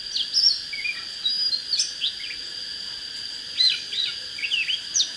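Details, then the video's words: Oriental magpie-robin singing, used to get birds fired up: scattered short high whistled notes and quick slurred phrases with pauses between, over a steady high insect-like hiss. "Chích chòe than HÓT HAY"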